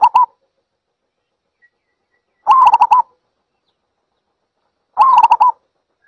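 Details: Cooing of a zebra dove: short bursts of fast, rolling, wavering notes, each phrase about half a second, recurring at steady intervals of around two and a half seconds with nothing else audible.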